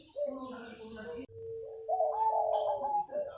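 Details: In the morning a local wild zebra dove sings in the manggung style, giving a steady low coo that breaks into a brighter rising, quavering phrase, while other small birds twitter faintly in the background.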